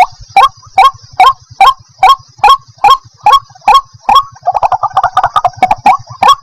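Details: Sharp, clipped notes from a white-breasted waterhen repeated steadily about every half second, with a brief bubbling, stuttering passage near the end; played as a lure to trap wild birds.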